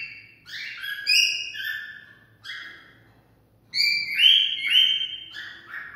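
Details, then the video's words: Cockatiel song meant to stimulate mating: a run of clear whistled notes, some rising and some falling, then a pause, then a louder burst of bright, sliding whistles, with faint low background noise. "Cocktail stimulating sounds for mating"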